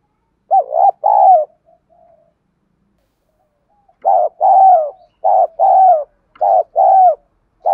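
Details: Decoy spotted dove provoking other doves with its song. One opening coo phrase, a pause, then a quicker run of paired low coos, each a short note followed by a longer downward-bending one.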